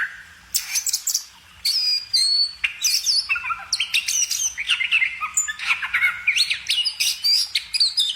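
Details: Bird pouring out a hurried jumble of chirps, squeaks and whistled flourishes, with a short quiet gap near the start and then nonstop song.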